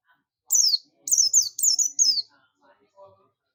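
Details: Loud, clear run of four high, sliding chirps from a buxtomi-type Oriental white-eye calling its companions (ngalas), each note sweeping downward, followed by quiet murmuring.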